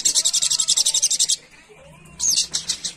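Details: Little spiderhunter, known locally as Sogon or Sogok Ontong, calling to companions in the wild: rapid run of shrill chips, a pause with a soft distant whistle, then a slurred high note and more quick chips.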